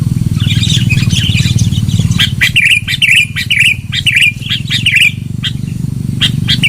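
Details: Lure recording of a sooty-headed bulbul, loud: repeated chirpy, slightly descending phrases with sharp clicks between, over a persistent low-pitched hum.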